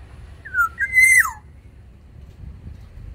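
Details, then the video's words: Black-naped oriole of Sumbawa, singing actively in an aviary: one clear flute-like phrase of a dipping whistle followed by a held higher note that slurs downward, then quiet. "Keodang emas sumbawa di dalam aviary gacor"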